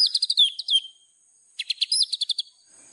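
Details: White-rumped shama training master song: two quick bursts of varied chirps and slurred whistles separated by a short pause, high and crisp.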